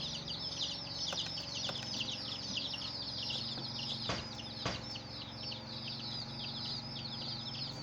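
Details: Chicks of a hen chirp in a constant high chorus of overlapping peeps, broken by a few sharp knocks and taps and a soft low background rumble.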